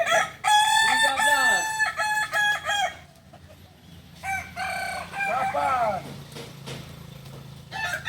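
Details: Kukuak Balenggek chickens from Solok, West Sumatra, at a crowing practice: a burst of quick, stacked, warbling crow syllables, a quieter pause, then a second stuttering crow, over a steady low hum.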